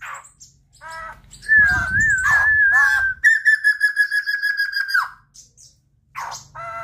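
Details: White-crested laughingthrush (Garrulax leucolophus), call.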